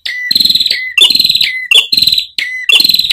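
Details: Ashy tailorbird song used to tutor caged birds: each phrase opens with a clear whistled note, then runs into a loud buzzy pulsing trill, repeated five times about every half second.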